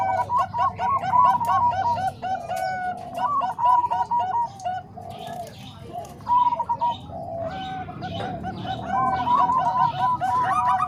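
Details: Zebra dove tutor recording blending Bangkok and Cemani Kolbuntet perkutut voices for training. Dense trains of rapid, bubbling coo notes from several doves rise and fall in loudness, with short pauses between bursts and a few higher chirps.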